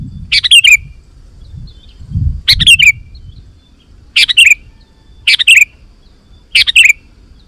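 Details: Lively sooty-headed bulbul song meant to call in wild bulbuls: five short, bright, bubbling phrases repeated at intervals of about one to one and a half seconds, with soft low rumbling in the background.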